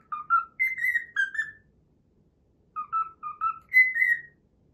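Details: A cockatiel repeats a learned melody, the Pythagora Switch opening theme, as two bursts of short rising-and-falling whistles, each ending on a higher drawn-out note, separated by a second of near silence.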